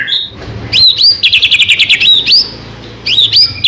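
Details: White-rumped shama song used to prompt other shamas to sing: loud high phrases of rapid repeated chips, upswept whistles and rattling trills, in bursts separated by short pauses.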